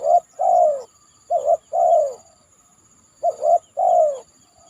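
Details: After heavy rain, a spotted dove on a banana trunk coos steadily: a long falling coo, then two full phrases of a short note, a rising double coo and a drawn-out downward coo, faint high whine beneath.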